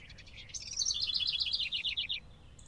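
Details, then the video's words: House wren singing one bubbly phrase lasting under two seconds: high jumbled chattering notes that slide downward into a rapid run of about ten repeated, falling trill notes, over faint low background rumble. "House Wren (Troglodytes aedon)"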